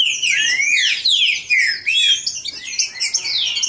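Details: Captive great-billed seed finch in full song, played to fire up another bird: clear whistled notes sliding down and up, grouped in quick bursts separated by short gaps, nothing else audible.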